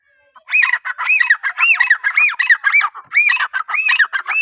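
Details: Grey francolin (teetar) calling to attract other francolins: a loud, continuous run of ringing, arched, strongly harmonic notes, about three per second, with a brief break midway.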